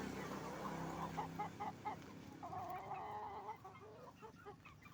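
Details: Hens and roosters on a chicken farm: loud closely spaced clucks, then a sustained wavering crow-like call lasting about a second, over a continuous low hum.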